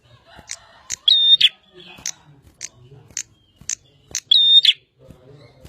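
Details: Bar-winged prinia in full song: high clipped chips repeated between two loud phrases, each a steady whistle flanked by buzzy notes.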